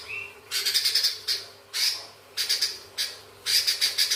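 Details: Vocal sooty-headed bulbul giving its long chattering song, mixed with the sounds of fighting sparrows: harsh, rattling bursts of rapid notes about every half second, with short pauses between the bursts.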